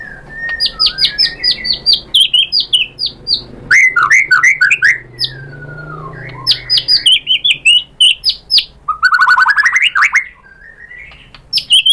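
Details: Provoked white-rumped shama in energetic song, showing off imitated material: clusters of quick high whistles, twisting slurred phrases, a long descending whistle, then a rapid rising trill of crisp notes.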